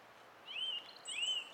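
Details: Song thrush singing on 20 April 2016: one clear whistled phrase that rises and then falls, sung twice in a row with a short gap between, over a quiet outdoor background.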